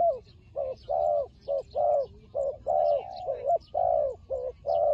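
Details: Fighting turtle dove from Cambodia, linked with trapping, giving low hollow coos in short bursts of about one per second, each note bending slightly downward, with faint chirps from other birds high above.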